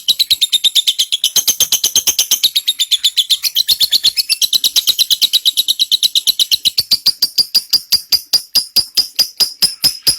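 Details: Lovebird giving a long 'ngekek panjang' trill used as tutor recording for white-rumped shama: a rapid, sustained series of sharp, high chattering notes, dense and buzzy at first, then slowing into evenly spaced clicks toward the end.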